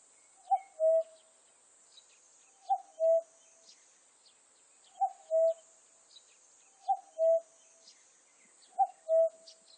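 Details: Five clear cu-coo calls from a common cuckoo, spaced about two seconds apart. Each call is a short higher note followed by a fuller, longer lower note, over a faint hiss and scattered high chirps.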